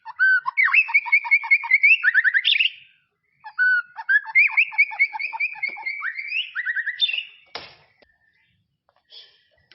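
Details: White-rumped shama in tropical forest, two long rich phrases of rapid stuttering notes under a sustained whistle, each ending in a rising flourish, with a pause between.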